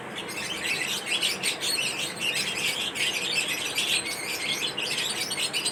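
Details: Flock of lovebirds chattering during a mating ritual, shrill squeaky chirps and squeals pouring out continuously, pulses of louder twittering every second or so.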